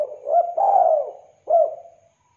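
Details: Spotted dove, a vocal bird with a clear call, used for luring and tutoring: a rolling lead-in note merges into a long, breathy coo, then one sharp-edged coo rises briefly and fades out slowly.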